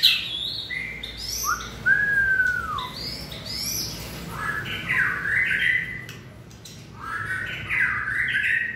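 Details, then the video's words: White-rumped shama in the 2020 season, a fiery bird being trained for contests: loud varied song of whistled slurs and rich warbled phrases, long descending whistle near two seconds, bursts of quick notes later. "Cọp Biển rực lửa (shama bird)"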